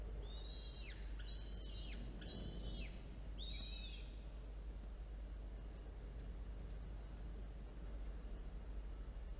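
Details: Falcon during a feeding at the nest, two chicks present, afternoon of 13 October 2022; four arched, high whistled notes in the first few seconds, then quiet apart from a low constant hum.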